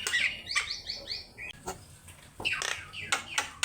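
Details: Javan myna singing, from a master recording for bird training: a quick series of four rising whistled notes, followed by quieter harsh squawks and sharp clicks after a brief pause.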